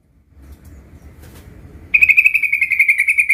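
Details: A young sooty-headed bulbul practising its 'ngerol' rolling song: after a second of low background rumble, a loud, fast, steady trill of bright notes begins and carries on to the end.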